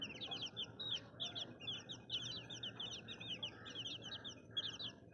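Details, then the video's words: Many baby chicks peeping together in short, high, slurred chirps that come in dense bursts, with soft background rustle. "Baby Chicks Chirping Sounds"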